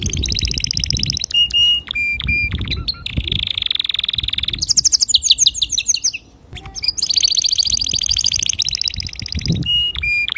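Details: Clear song of a male canary, used to teach young canaries: fast high trills, a long buzzy roll, rising chattering notes and short whistled pips, over faint low background noise.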